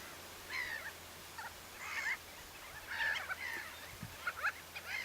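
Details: Common shelducks, a large April group in the Tancat de Milia reserve, come in from l'Albufera to feed: short, nasal, trilled calls in separate bursts about every second, over steady background hiss.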